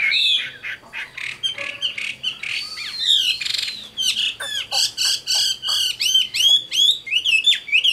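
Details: Chinese hwamei, a mature wild-caught 'tam hoàng' bird from Vietnam noted for its good voice, delivers rich looping whistles that break into a fast run of bright, downslurred repeated notes, strong and continuous.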